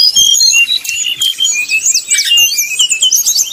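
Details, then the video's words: Fluting 'nyuling' song of a brown-chested jungle flycatcher, used to goad rivals into singing. Clear high whistled notes open the phrase, then a fast jumble of twittering slurs and trills follows. "srdc nyuling bikin lawan jadi panas penuh emosi"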